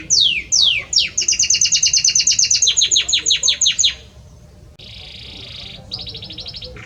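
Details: Belgian canary male singing for his female: two falling whistled sweeps open a fast, regular series of clipped repeated notes, followed by a soft buzzy rolled trill and a brief pause.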